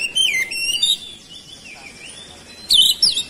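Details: Oriental magpie-robin song meant to spur other birds into singing: a clear whistled phrase dipping and rising, a soft gliding note, then a loud abrupt burst of buzzy chatter near the end.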